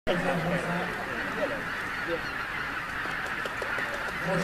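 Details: Goose flock on Lake Tata, Hungary, flushed by a White-tailed Eagle, including a single rare Barnacle Goose: many geese honk at once in overlapping nasal calls over a steady hiss of wind or distant noise, a faint voice present.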